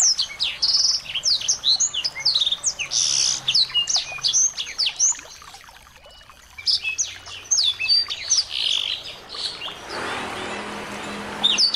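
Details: Small birds, played to excite a white-rumped shama into singing: dense, rapid high chirps and thin whistled notes from several birds overlap continuously, easing briefly at mid-clip, then a burst of hissing noise near the end.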